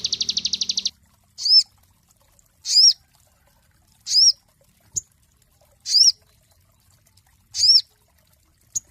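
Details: Cinereous tit song used as a master recording for training songbirds: clear, arched whistled notes repeated about every one and a half seconds after a brief opening burst of rapid buzzy trill.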